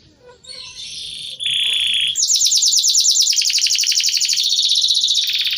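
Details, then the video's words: White-crested canary singing in a hamster cage: a brief soft phrase and a steady high note, then a long fast rolling trill of rapidly repeated notes. "Kenari Jambul Putih Wage di sangkar hamaster makin gacor"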